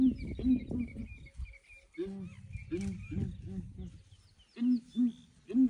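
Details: Several ground hornbills calling in the morning while a breeding herd of elephants approaches to investigate: deep booming hoots in groups of three, alternating a higher and a slightly lower pitch, a pause, then more booms; faint high chirps from other birds.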